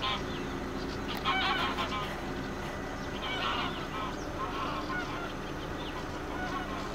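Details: Greater scaup (Aythya marila) flock, recorded 19 April 2022, gives harsh, rasping growls and low honking notes that overlap continuously, over a steady murmur of water and distant background noise.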